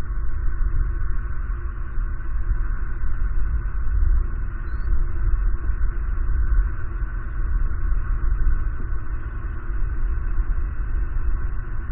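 Steady low rumbling hum fills the recording, with no animal calls.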